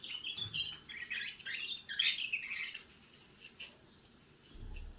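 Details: Young canary starting to sing: about three seconds of fast, jumbled twittering and warbling notes, then near silence with a faint chirp or two and a low bump at the end.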